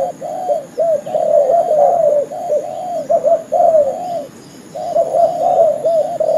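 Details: Spotted dove lure call used to attract birds for trapping. Dense, overlapping soft coos form rolling phrases, then a brief pause, then more cooing. A thin high electronic hum sits in the background.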